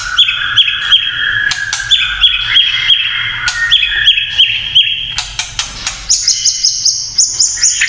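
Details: Kretekan song of a white-rumped shama, a style said to excite other shamas: sharp repeated notes over a steady ringing tone, clicks in the middle, and very high thin notes near the end.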